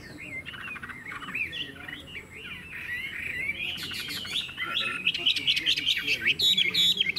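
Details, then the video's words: Chinese hwamei held in a cage for sale, singing a long varied phrase of warbled whistles that builds in volume, ending in rapid sharp clicking trills and mimicked notes. "Họa mi hót hét tốt - Giọng hay"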